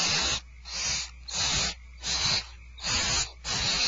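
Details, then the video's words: Barn owls at Starr Ranch at feeding time, recorded 2/1/12: harsh, breathy hissing screeches, five bursts in four seconds with short gaps between them, over a faint low hum. "Starr Ranch Barn Owls Dinner is served"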